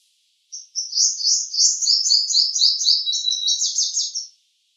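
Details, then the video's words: A purple sunbird sings one continuous burst of about four seconds: quick, sweet, high twittering notes delivered in a steady rattling sequence, with silence before and after. "Song of Purple Sunbird"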